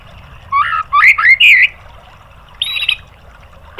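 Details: White-rumped shama song played to provoke rival birds into singing: three quick bursts of rich, slurred whistled notes, a silence, then one harsher, buzzy, strained phrase, with faint low background hum throughout.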